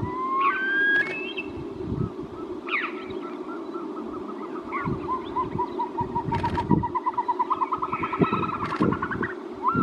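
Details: Caspian snowcock: several loud rising whistles near the start, then a long run of quick, even notes that speeds up and climbs slightly in pitch. A steady low rumble runs throughout.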